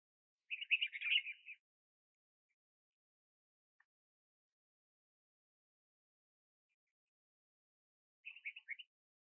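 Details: White-spectacled bulbul (Pycnonotus xanthopygos) at Ash Shafa, Taif, Makkah Region, Saudi Arabia: a rapid, bubbly burst of mid-pitched warbled notes, then a long silence before a shorter chattering phrase near the end.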